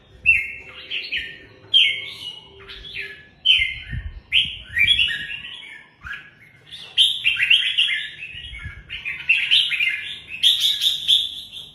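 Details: Red-whiskered bulbul repeating short, clear, slurred whistled phrases roughly every second or two, then switching to a denser run of bright warbled notes, with occasional soft knocks behind.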